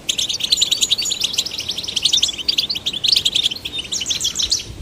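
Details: Male and female goldfinch chicks prompted to sing, giving a quick, busy stream of high liquid twitters and buzzy trills without pause, ending abruptly.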